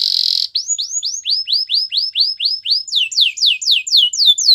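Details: Canary singing a brief buzzy trill, then a long series of rising-falling swept whistles repeated about four per second, speeding into quicker, higher slurs at the end.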